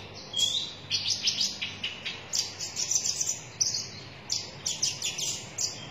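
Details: Konin dada merah sunbird in full, lively song. Sharp, high-pitched chips and sweeping twitters repeat in rapid clusters about every half second, over a quiet background.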